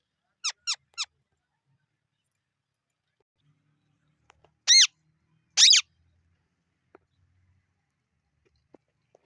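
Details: Parrot calls: three quick, clipped squawks in a tight run, then a pause, then two long, loud, raspy screeches a second apart, each strongly harmonic with a wavering pitch.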